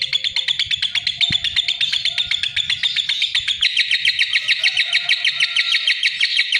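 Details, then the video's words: Lovebird chattering with rapid, evenly spaced high chirps that grow louder and denser midway, a continuous excited twittering. "Suara Kicau Burung LOVEBIRD"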